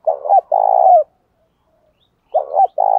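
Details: Fight-provoking cooing of a spotted dove, meant to rouse wild doves and train decoys: a short double note and a long throaty coo, then after a pause the same pattern begins again.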